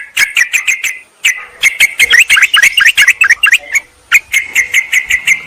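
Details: Yellow-vented bulbul lure sound used to call wild birds and rivals: bursts of quick, bubbly notes in groups of four or five, a dense chattering middle section, then more evenly spaced chirps.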